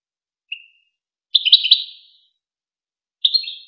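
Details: European goldfinch on the Wakr Touzgha tape, meant for teaching young goldfinches and hybrids to sing. A single soft chip, then a lively rippling twitter, then after a pause another shorter bright phrase, each ringing into echo over silence.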